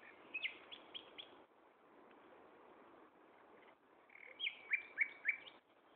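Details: Common nightingale at Gaasperzoom on 16 May 2012, 15:30, singing two phrases: a string of four high notes, a quiet gap of a few seconds, then a louder run of repeated sharp chirps.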